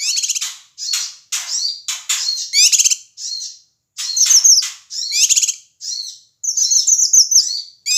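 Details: Noisy Sumatran male Ashy tailorbird, used to provoke other birds: dense harsh chattering, sharp scratchy bursts and fast high twittering runs, with uneven gaps.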